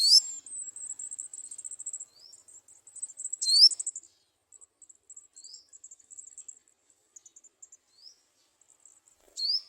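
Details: At a nest, adult garden sunbirds feeding young: loud, sharp upward-sweeping squeaks at intervals, each followed by fast, thin, high trilled chatter that fades and restarts.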